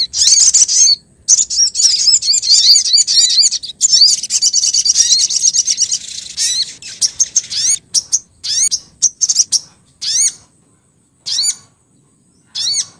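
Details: Female olive-backed sunbird calling a male, recorded as a lure in Pronojiwo, Lumajang: an excited, continuous high twitter for about seven seconds, then thinner single chirps that become more widely spaced.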